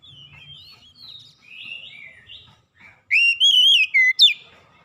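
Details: Oriental magpie-robin lure song, meant to get reluctant birds singing: soft, quiet warbled phrases give way to a loud, wavering whistled phrase with rising and falling notes, ending in sharp upswept whistles.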